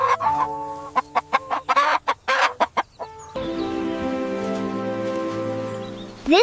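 A rooster gives a long, drawn-out crow after a brief spoken introduction.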